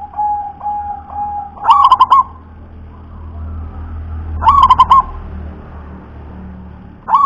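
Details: Zebra dove, a local wild perkutut, delivers its deep, thick song: short pulsed cooing bursts of four or five notes recurring roughly every three seconds, with faint softer coos and low background rumble.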